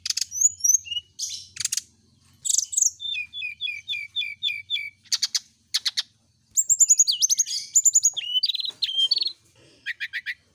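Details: Brown-chested jungle flycatcher, a kept bird set out in the morning dew so it sings often, giving a fast, varied song of high chirps, slurred whistles and a run of short repeated notes, with brief pauses between phrases.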